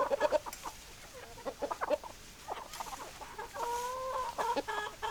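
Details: Hens clucking and roosters crowing: loud clipped clucks at the start, irregular clucking through the middle, then a drawn-out two-tone call held for about half a second before more clucks.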